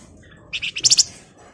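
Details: Lure song of a male flamboyan, ngebren and nyerecet: a brief run of six quick, high, buzzy chirps rising in intensity.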